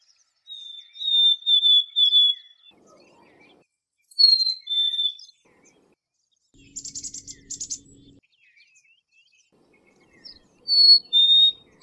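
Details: Black-capped chickadee whistling a drawn-out high-then-lower phrase, a second two-note whistle, a quick series of buzzy pulses over a low hum, then a final high-low whistle.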